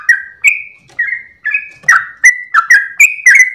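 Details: Dawn song of a yellow-vented bulbul (trucukan) with tail-wagging: spaced, slurred whistles at first, then quicker clipped notes bunching together toward the end, some dropping in pitch.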